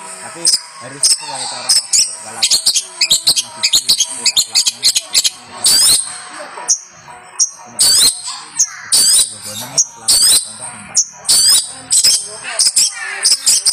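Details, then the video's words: Long-tailed shrike of champion standard, recorded as a model for training songbirds. It gives a dense, restless stream of harsh squawks, shrill whistled notes and scratchy chatter, some phrases drawn out and rasping, with almost no pauses. "Masteran Burung Cendet Juara"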